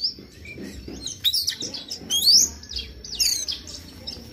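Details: Oriental magpie-robin in morning song, played to stimulate a bird to sing: a rich jumble of high sliding whistles and chattering notes, loudest in the middle, with varied mimic-like phrases.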